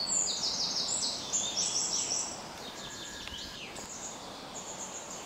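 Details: White-throated dipper at the springs of the Ljubljanica, Retovje, Slovenia, 6 June 2023: a rapid run of high, sharp, scratchy notes, loudest in the first two seconds, over a steady rush of flowing water.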